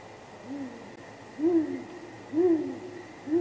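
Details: A nesting great grey owl pair calls at night in April 2019, contact hoots answered before possible mating: a faint first hoot then three stronger low, arched hoots at roughly one-second intervals, steady faint hum.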